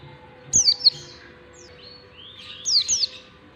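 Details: Oriental white-eye in the long standard ngalas song style, used as a lure to teach young white-eyes to sing: two bursts of very high, thin, downslurred whistles separated by softer sliding notes, with a faint steady hum.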